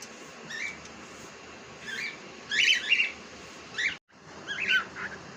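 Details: Pet cockatiel indoors giving short bright chirps and warbled phrases in scattered bursts, some rising and falling, over a steady hum.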